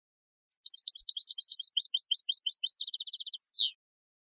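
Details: Turkish goldfinch singing in Istanbul, Turkey: a rapid run of high twittering notes that speeds into a dense buzzy trill and ends with a downward-sweeping flourish, with no other sounds.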